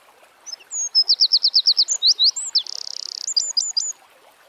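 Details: Eurasian wren singing outdoors: a high, loud burst opening with a few thin whistles, then a string of about ten sharp repeated notes, a fast churring trill, and a closing run of crisp chips, all within four seconds.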